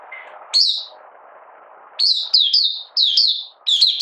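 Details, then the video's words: Oriental white-eye from Malaysia giving an opening song on 31 July 2023, in minor moult and not in form: a single high note, a pause filled with low hiss, then a lively string of bright twittering phrases. "Malaysian Mata Puteh Buka Sing"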